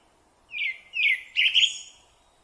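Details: Rufous-bellied thrush in Brazil gives three bright whistled phrases in quick succession, each a slurred, slightly falling warble with a short gap between. The last is the richest and loudest, over a quiet background.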